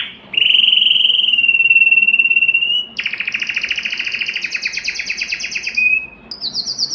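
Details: Canary singing to stimulate hens for mating: a long steady whistled trill for nearly three seconds, then a dense buzzy two-toned rattle, a short whistle and a final high rapid trill.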